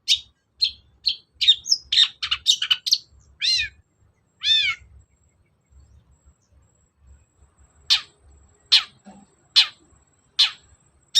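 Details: Long-tailed shrike song used as a lure to make a caged bird that is reluctant to sing start calling: rapid high chirps and scratchy notes, then two descending harmonic whistles, then single sharp chips about once a second.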